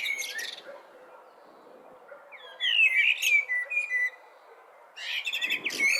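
A blackbird sings in three bursts of bright, high chirps and warbled phrases, with short quiet gaps between them.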